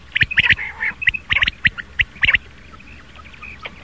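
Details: Morning rain quail calls used as a hunting lure: short, harsh doubled notes in quick bursts for about two seconds, then a quieter stretch with faint distant calls.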